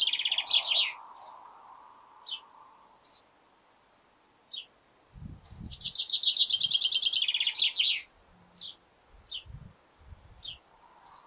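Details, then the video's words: Male chaffinch in a garden as spring approaches, giving a cheerful song: fast trilled runs of high notes dropping into a flourish, repeated twice, with scattered short chips between and occasional low knocks. "Garden Birdsong: Chatty Chaffinch"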